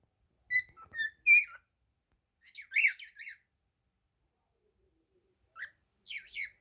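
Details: Cockatiel song of clear whistled notes followed by buzzier warbled phrases, delivered in three groups across a few seconds with quiet gaps.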